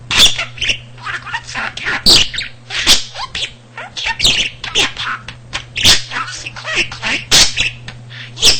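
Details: Pet male budgerigar kept indoors, a talker with a vocabulary of almost 300 words and sentences picked up by listening to household speech; rapid, high-pitched chattering syllables in quick bursts, interspersed with sharp clicks and a steady low hum.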